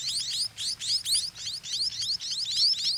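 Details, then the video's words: Four well-grown White-rumped munia chicks in the nest, waiting for their parents to return with food, beg with a continuous, overlapping chorus of high, thin rising chirps, several each second, with no pauses longer than a moment. "Hungry Chicks Play in Nest While Waiting for Parent"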